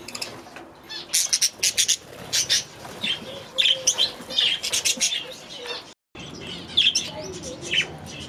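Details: Budgerigar youngsters from last year, just moved into a new aviary for the new season, chatter in quick high chirps and buzzy twitters in clustered bursts, with a brief break partway.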